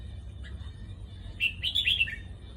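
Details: Red-whiskered bulbul giving a short song phrase: a brief tumble of bright warbled notes, rising then falling, over a steady low background hum.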